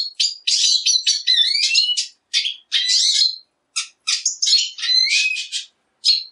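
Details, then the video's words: Song of the Black siskin, Spinus atratus, in separate bursts: quick chattering trills with rising whistled slurs, broken by short silences between phrases. "Negrillo Boliviano! Llamado! Sonido! Cantando! - Black Siskin Song - Spinus Atratus"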